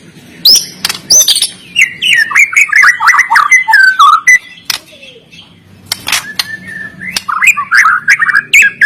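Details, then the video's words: Caged white-rumped shama from Medan, recorded to encourage reluctant birds, singing a long rapid sequence of sweet whistled notes and chatter, a brief break, then renewed whistling bursts. "MURAI BATU GACOR FIGHTER PENUH GAYA || Cocok untuk melatih mental."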